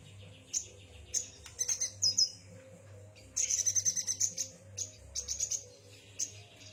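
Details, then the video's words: Yuhina singing: high, thin chirps and short twittering bursts at the top of the range, some brief trilled phrases, in quick irregular clusters with gaps between; a steady low hum underneath. "kicau burung yuhina"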